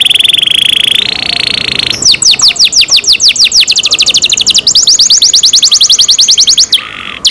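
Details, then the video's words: Canary under care singing loudly: a sustained buzzy trill for two seconds, followed by a long, rapid run of repeated descending whistled notes. "canary Nice sound"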